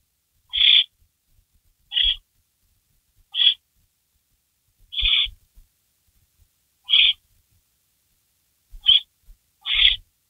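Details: Barn owl in a nest before dawn on May 16, 2012, as a rabbit is delivered and eaten. Short, harsh, hissing screeches come every one to two seconds, with soft bumps and scratches between them.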